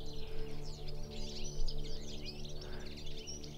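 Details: Colony of at least twenty European goldfinches settled in the area, chorusing together; dense overlapping tinkling twitters and chirps throughout, with a steady low tractor drone in the background.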